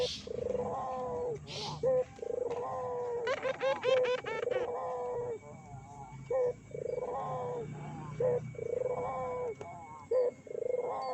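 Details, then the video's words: Barbary dove cooing as a lure to make other doves respond: a steady series of trilled coos with long falling endings, a quick run of chattering notes in the middle, and a constant low hum. "PANCINGAN BURUNG PUTER GACOR!!! BURUNG PUTER MANA SAJA PASTI EMOSI"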